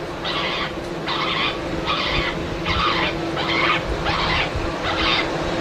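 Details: At Manchester Airport's Runway Visitor Park on a hot Sunday, Black-headed Gull distress calls (harsh, rasping screams, about six in five seconds) are played over a loudspeaker amid steady engine and airport rumble, to draw gulls up before dispersing them with bird-scare cartridges.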